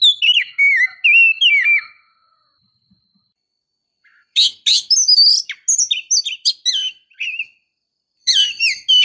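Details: Female Oriental magpie-robin luring the male: bursts of sharp, varied whistled notes and quick slurred chirps, high and bright, in three clusters separated by short silences, with no other sounds.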